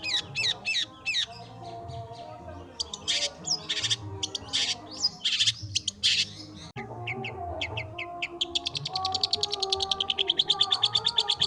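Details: Long-tailed shrike singing with varied notes: quick chirps, then loud, spaced, harsh bursts, and finally a fast, buzzy trill of repeated high notes, with music throughout.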